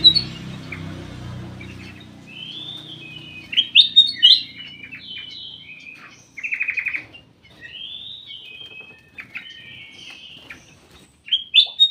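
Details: Ruby-throated bulbul kept in a private aviary, singing short liquid whistled phrases and sliding chirps in bursts, with a brief buzzy note near the middle; low rumble at the start.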